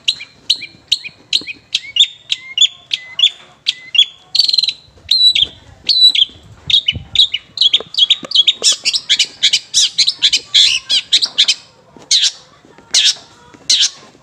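A long-tailed shrike gives a fast, varied song of sharp chips, whistles and harsh chatters, several notes a second, packed with copied phrases. No other sounds stand out.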